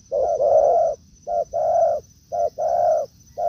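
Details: Wild spotted dove in woodland answering a decoy: three deep coo pairs, each a quick short note running into a long drawn-out coo, evenly spaced about a second apart over a faint constant high-pitched whine.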